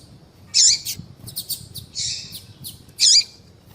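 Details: Female Double-collared seedeater calling a male, used to excite males and in breeders' female-call tournaments; loud high twittering notes with a looping flourish, a short buzzy note, then another looping chirp, against quiet low hum.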